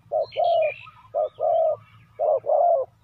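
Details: Decoy spotted dove calling wild doves in. It gives three rapid pairs of coos, a short low note then a longer mellow one, with brief chirping from another bird.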